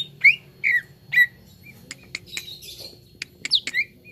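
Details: Singing cucak ijo, the green leafbird, on a therapy recording for prompting birds to sing. A few loud downslurred whistles are broken by sharp clicks and a short buzzy burst, then more whistles.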